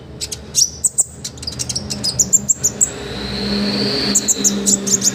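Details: Olive-backed sunbird song recorded as a tutor for other birds: quick high chips and short trills, partly masked midway by a rising whining hum before the sharp notes resume.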